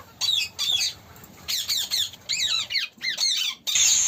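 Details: A group of parrots kept in India, giving a series of harsh, shrill squawks, each dropping in pitch, in short bursts about every half second over a faint steady background hum.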